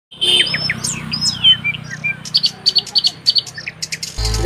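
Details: Birds at Ranipukuri Lanka, Assam, chirping outdoors: scattered sharp high chirps and sweeping notes, then a steady series of paired high notes repeated about every third of a second, over a low background rumble.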